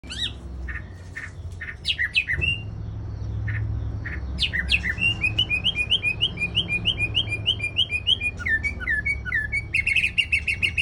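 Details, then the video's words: White-rumped shama song from Aceh, used for luring birds: sharp whistled chirps that open into a fast run of repeated rising-falling notes, then dense rapid trills near the end, over a low steady hum. "Pikat Murai Batu Aceh"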